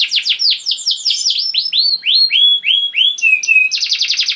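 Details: Canary singing, used as a lure: quick series of downswept notes slowing into clear rising whistles, ending in a fast high trill.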